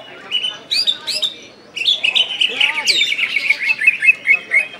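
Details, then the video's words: West Kalimantan greater green leafbird, kept as a songbird, delivering nembak-style song: short sharp whistled notes at first, then a sustained run of bright, quickly repeated high chirps and trills after a brief pause. "Cucak IJo KALBAR Ngentrok Gacor Nembak"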